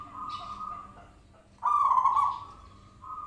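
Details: Zebra dove call used as a lure to make the bird answer: steady, low, hooting coos held at one pitch, broken by a louder, rough, rolling coo near the middle, then fading back to soft sustained cooing.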